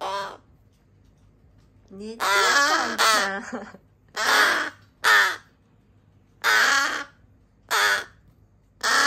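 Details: Rescued crow chicks, three siblings once dumped in a garbage bag, calling noisily on rescue days 26-27: a run of eight harsh, rasping caws, some doubled, with short silences between them.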